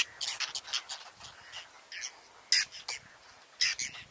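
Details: Whiskered terns tending nests with clutches at a colony on lotus and water chestnut, Astrakhan reserve, Russia, 22 July 2017; a quick cluster of scratchy calls at first, then sparser single harsh notes with quiet gaps between.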